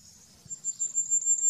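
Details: Common firecrest (Regulus ignicapilla) giving a very high, thin run of rapid needle-like notes, held at an even pitch for about a second, over a quiet background.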